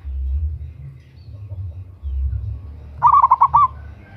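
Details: Female local zebra dove calling a male, used as a loud lure: after a few seconds of low rumbling background, a single short phrase of about five quick, rolling, pulsed coos.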